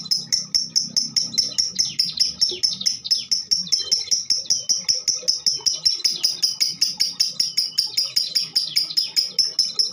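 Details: Long, steady chatter from a female lovebird, kept to lure other birds into singing: high, piercing chirps pulsing about two and a half times per second without pause, over soft low background noise.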